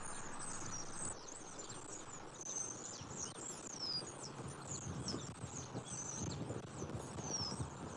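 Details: Wild bald eagles at their nest in Southwest Florida on 29 October 2024, male delivering food to the female. Thin, high whistled notes slide downward, repeated in loose bursts throughout over a steady low rumble of background noise.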